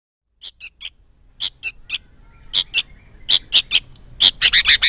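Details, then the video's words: Sooty-headed bulbul (kutilang) chick calls used as a trapping lure: short high chirps, first sparse, then quickening into clustered pairs and a fast burst at the end, with a faint steady tone underneath. "Suara PIKAT Anak Burung KUTILANG Kombinasi Baru"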